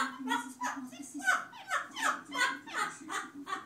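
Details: Two parrots laughing, one of them off-camera, in a burst of rhythmic, harsh, chuckling syllables repeated roughly three times per second, with a steady low hum running underneath indoors.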